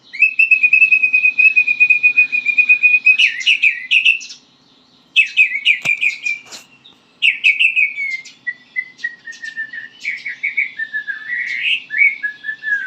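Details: White-rumped shama learning to sing: long steady trill of rapid repeated notes, then varied downslurred whistles and chattering, ending in a quick warbled series, with one sharp knock midway.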